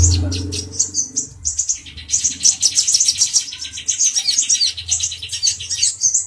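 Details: Brown-throated sunbird male in an agitated state, goading a cucak jenggot (grey-cheeked bulbul), gives quick strings of high twittering notes after a short low rumble at the start.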